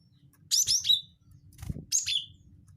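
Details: Cinereous tit call of the wingko type, used to lure birds: two bursts of rapid, high, sharp chirping notes dropping onto a lower clipped note, with a faint low hum behind.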